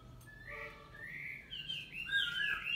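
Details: A female Chinese hwamei in her third season gives a run of slurred, clear whistles to stimulate males, rising and falling and growing louder and higher toward the end, over a faint background hiss.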